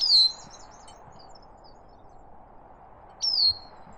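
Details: Bicknell's Thrush on a Maine mountaintop in the morning, calling close by but hidden: two high, sharply down-slurred calls about three seconds apart, over a faint steady hum.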